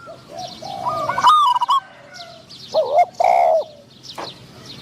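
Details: A decoy Spotted dove trying to attract wild doves: one loud stuttered coo followed by a deeper, rounded two-part coo reply, faint chirps of other birds behind.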